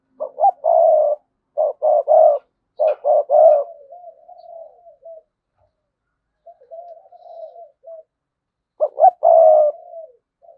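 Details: Spotted dove kept as a decoy, cooing in sa gù and thúc bổi styles. Bursts of rapid clipped coos come in groups of two and three, then quiet wavering murmurs, then another loud coo.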